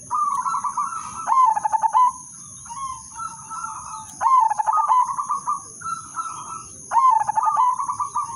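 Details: Captive zebra dove of the udanmas silver line singing a melodious lure song meant to set other doves cooing: rapid stuttering clicks into a rolling mid-pitched coo, phrases repeated about every three seconds, over a steady high electrical whine.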